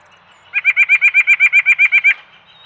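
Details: White-breasted Nuthatch at a backyard peanut feeder, caught on a trail camera, giving its song rather than a call: about fourteen quick nasal notes on one pitch, roughly ten per second for a second and a half.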